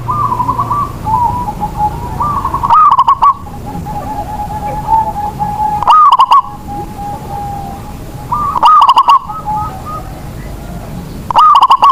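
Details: Local zebra dove whose cooing prompts other doves to sing; four loud rapid stuttered coo phrases about every three seconds, with softer answering coos from other doves in between.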